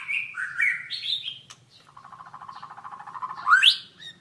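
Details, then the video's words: White-rumped shama, a training song recording: whistled rising and falling phrases, then a low rattling trill for about two seconds, ending in a sharp upward sweeping note; faint low hum. "Masteran Suara Burung Murai Batu"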